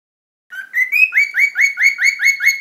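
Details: Parrot tweeting: after a brief silence, a clear series of rising whistled notes repeated about four times per second, each sliding upward, with no other sounds.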